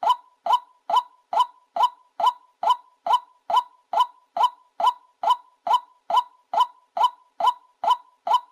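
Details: Professional trapping lure of a White-breasted waterhen: a long run of identical harsh, clipped calls, evenly spaced a little under half a second apart, with no pauses, in a clean, quiet recording.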